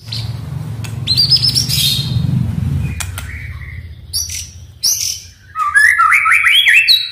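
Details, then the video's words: A white-rumped shama song, meant as a lure to set a silent captive shama singing, gives a varied run of clear, high, quick whistles, rising slurs and short buzzy notes, with a low hum underneath at the start. "MURAI DIRUMAH DIEM,//, COBA DENGARKAN KICAUAN INI"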